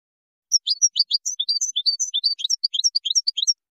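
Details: Moroccan goldfinch singing a Widani-style composition: a rapid, tinkling run of high twittering notes and short downslurred chips, steady for about three seconds against a silent background.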